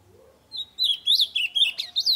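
Ultramarine grosbeak song: a quick run of clear, warbled whistled phrases, rising and falling, about eight notes in under two seconds.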